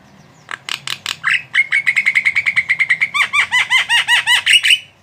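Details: Energetic Javan myna song: harsh broadband notes, then a long rapid chatter of clipped notes, ending in a run of repeated downslurred squawks, sustained for several seconds.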